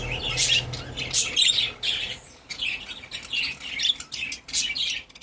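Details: Pet budgerigar warbling and chattering in rapid, scratchy, high-pitched phrases broken by short pauses, with sharper squeaky notes mixed in, indoors.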